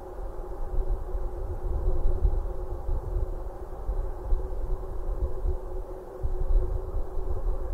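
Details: Low rumbling outdoor noise with a thin, steady high electronic tone and no animal calls.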